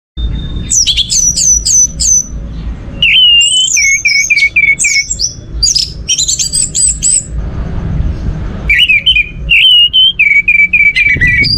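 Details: Orange-headed thrush song played as a lure to stimulate other birds to sing: rapid bursts of loud, varied whistled phrases, high trills alternating with lower slurred notes, delivered in dense runs with short pauses.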